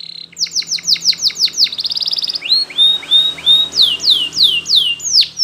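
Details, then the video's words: Spanish Timbrado canary training song from a yellow canary: repeated falling notes, a fast metallic trill, soft rising chirps, then loud swooping notes repeated about twice a second. A faint background hum runs throughout. "Canary's Most Powerful Song For Training !! Yellow Canary singing"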